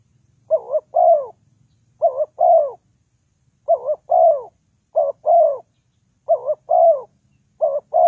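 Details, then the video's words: Spotted dove call used in trapping as a lure, a low soft double coo followed by a drawn, descending coo, given six times at intervals of just over a second in an otherwise quiet recording. "The Sound Of Spotted Dove is very good,Bẫy cu gáy bằng mồi trồn"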